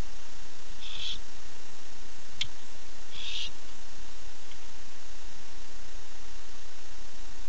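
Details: Nest-cam recording of a male barn owl calling for his mate at night, 9:54 pm: two hoarse hissing screeches about two seconds apart with a sharp click between them, then several seconds of quiet hum.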